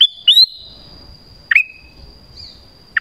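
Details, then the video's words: Calling Black-crested bulbul, used to lure wild birds: three crisp whistled notes, each a quick drop into a short level tail, spaced over three seconds with a faint steady high tone. "SUARA PANGGILAN KUTILANG EMAS"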